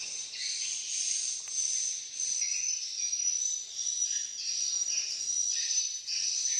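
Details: Swiftlets gathered in numbers in Malaysia: high, squeaky chirps pour out nonstop, pulsing in loudness roughly every second over a steady twittering wash.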